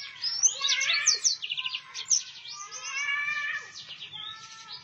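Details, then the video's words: Continuous warbling song of a yellow-fronted canary, a dense run of high twittering notes, quick trills and slurred whistles with hardly a break. "mozambik gacor ngeroll"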